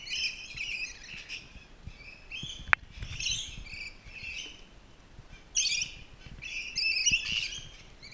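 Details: Rainbow lorikeets at Twycross Zoo, during enrichment, chatter in harsh, buzzy high screeches, several overlapping bursts with short gaps and a sharp click partway through.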